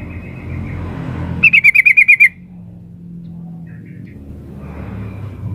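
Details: Sooty-headed bulbul, a female calling the male: a quick, even rattle of about eight loud, clear notes in under a second, set against a low mechanical-sounding hum that continues afterward.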